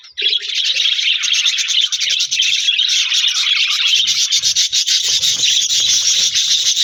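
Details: Budgies in an aviary colony chirping with a newly introduced budgie friend, January 4, 2026: unbroken hissy, buzzy chorus of fast overlapping chirps from many birds, with faint low rustles later on.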